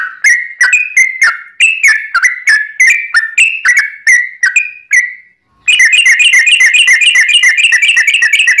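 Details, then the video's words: Yellow-vented bulbul in fast, long-running ropel singing, used as a lure to make other bulbuls answer. Bright whistled notes with sharp clicks repeat about every quarter-second, then a brief pause, then a dense, rapid, continuous trilling run. "trucukan gacor ROPEL PANJANG pancingan trucukan agar bunyi"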